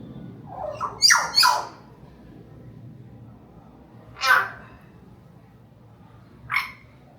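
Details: Pet Hill myna vocalising while talking with its owner: a rising harmonic phrase followed by a sharp burst, then two more loud, brief calls separated by quiet room tone.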